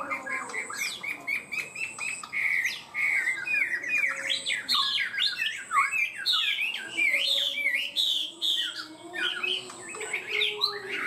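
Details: Chinese hwamei, caged, singing a long energetic song praised as high and steady: rapid varied whistled phrases climbing and dropping sharply, growing denser and louder toward the middle, with a faint high electronic tone behind.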